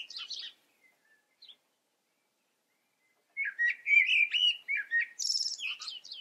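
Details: Common blackbird singing: a short high squeaky scrap, a long pause, then a low fluty warbled phrase that breaks into a jumble of high twittering notes at the end.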